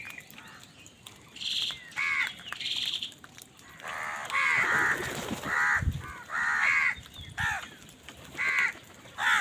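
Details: Crows fighting for food give harsh, hoarse caws in short bursts, several voices overlapping and answering each other, with a brief low thump near the middle.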